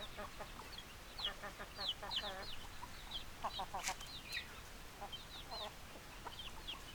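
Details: Hens clucking and squawking, with a run of quick repeated clucks, sharp rising squeaks and one brief loud clatter partway through.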